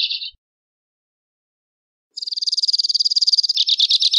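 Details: Two-barred crossbill: a brief high note burst, a pause of nearly two seconds, then a fast, even, high-pitched trill that turns coarser and buzzier near the end; no other sounds.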